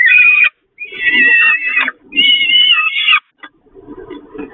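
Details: Begging peregrine falcons during a feeding on the Catharinakerk nest grating, 11 May 2021: three loud, rasping, whining screams each lasting about a second, separated by brief pauses, then quieter shuffling and soft notes.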